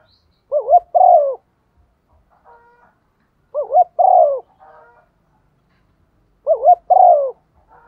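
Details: Female spotted dove giving the calling coo used as a lure to stir birds: three phrases, each a quick wavering double note followed by a longer falling coo, spaced about three seconds apart in quiet surroundings.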